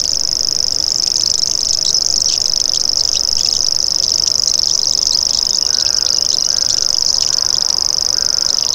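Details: High-pitched, unbroken mechanical reel of a common grasshopper warbler, like a winding fishing reel or cricket, sustained throughout, with a few faint lower notes from another bird in the background near the end.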